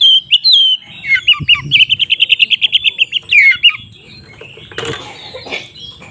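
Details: Oriental magpie-robin singing an aggressive song used to provoke other magpie-robins. A few whistled notes lead into a long, rapid trill of identical chips, then a rustling, noisy stretch follows.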